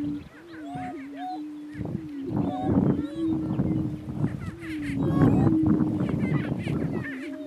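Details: On a lek in northeast Kansas, two male greater prairie chickens battle for dominance: an even low hum persists throughout over strong low thumping noise, with scattered short cackling notes higher up.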